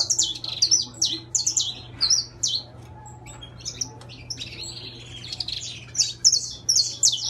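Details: Intense yellow saffron finch in song, bursts of bright, high chirping notes and brief whistled slides, separated by a quieter pause midway before a fresh burst, over a constant low hum.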